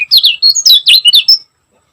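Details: Short loud burst from a Lombok kecial kuning: about a second of quick, sharply bent high whistled notes in tight succession, then silence.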